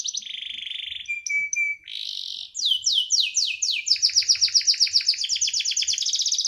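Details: Caged canary song opening with buzzy sustained tours and a thin whistle, then sweeping downslurred notes that speed into a rapid rolling trill, about four notes a second.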